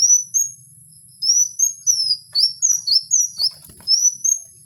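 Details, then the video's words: Kowul song in the wild: a single thin whistle, a pause, then a lively series of about ten high sliding whistled notes, some rising and some falling, over a quiet background. "Suara asli Kowul di alam liar"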